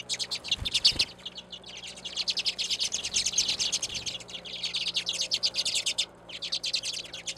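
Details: Redpolls, small finches, calling at a seed feeder on a back deck in Anchorage, Alaska, in February winter; dense overlapping high chirps and short rattling trills from several birds, nearly continuous, with brief pauses.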